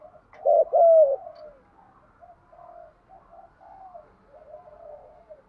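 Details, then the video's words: Spotted dove giving a calling and fight-challenging coo: one loud phrase of a quick double note and a longer falling coo, followed by several faint, softer coos from farther off over a quiet background. "cu gáy kích bổi nhanh nổi gù, tiếng gáy gọi và thúc đấu hàng cực đỉnh"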